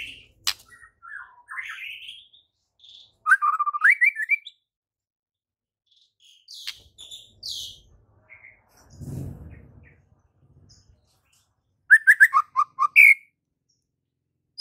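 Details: Lively white-rumped shama song with rich variation, played to train shamas that sing little: scattered whistled and rising phrases, short gaps, a brief low rumble midway, then a quick burst of stepped falling notes capped by a higher whistle.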